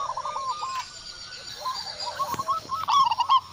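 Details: Zebra dove, a local Indonesian bird with a loud voice, sings an opening row of clipped coos, softer hooked notes in the middle, then a loud rattling burst near the end.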